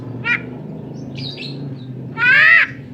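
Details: Tame Javan myna, described as able to talk and cough, utters a short rasp, then soft squeaks, and finally a long loud grating harsh call lasting about half a second, with low background hum throughout.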